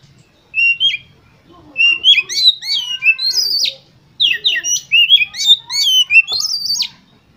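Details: Oriental magpie-robin, a competition bird, singing a rich varied song of whistled, slurred phrases and sharp chirps in two long bursts, with short pauses between notes.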